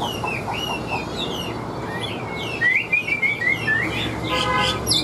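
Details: Chinese hwamei, a wild-caught caged bird, singing loudly in a strong, tense voice: clear whistled phrases sliding up and down, then a quick run of rising repeated notes, over a steady low rumble with a buzzing harmonic tone near the end.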